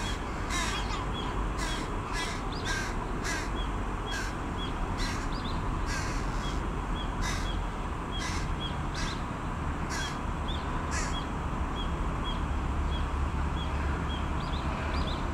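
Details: Fledged carrion crow young as large as the adults beg their parent for food: a long series of rough, grating caws repeated in irregular bursts, some close together, over steady low rumble and occasional thin high chirps.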